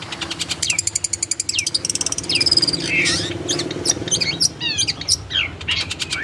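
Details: Long-tailed shrike song used to train a kept bird toward lively, contest-winning singing: a quick series of rasping clicks that gives way to varied squeaky, sweeping whistles and buzzy notes.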